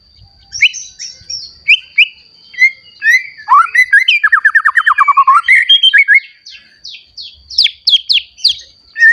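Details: Newly matured white-rumped shama in active song, used as a lure for young and adult shamas. Scattered whistles lead into a fast descending trill, followed by sharp high notes. A faint steady whine and a few low thumps sit underneath.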